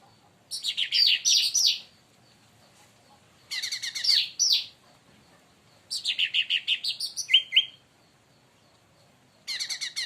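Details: Leafbird, provoked by another bird, delivers loud bursts of fast, chattering, high-pitched warbles about a second or two long, separated by short pauses. A brief pair of clear whistles comes near the end of the third burst.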